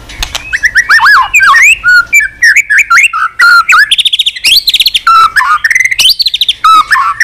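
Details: Tail-flicking white-rumped shama on its perch, singing long and continuously with many unusual voices: dense, rich phrases mixing slurred whistles, rapid buzzy trills and bright chirps, almost without pause.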